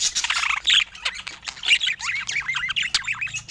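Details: Pet budgerigars in a calm indoor setting without music or speech; busy squawky chatter of short chirps and warbled notes, several overlapping, with occasional sharp clicks.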